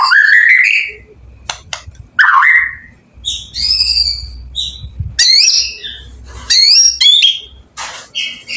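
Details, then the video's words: White-rumped shama song intended to make other shamas reply: separate bursts of rising whistles, harsh squawky notes and bright chips, separated by short gaps, over a soft low hum. "Burung murai gacor ampuh buat pancingan murai batu langsung bunyi nyaut"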